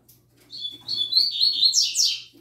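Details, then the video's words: A young double-collared seedeater, newly learning its tui tui zel zel song, gives a run of clear whistled notes that climbs into rapid buzzy, chattering phrases lasting about two seconds. A soft low hum sits behind it. "OLHA O CANTO DO PAPACAPIM FILHOTÃO NOVATO!!! ELE ENCARTOU O TUI TUI ZEL ZEL!!!"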